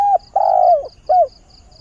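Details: Decoy spotted dove giving its morning mate-seeking call. A short coo is followed by a long, loud, slightly falling coo and a brief curved closing note, with soft rhythmic high ticking behind.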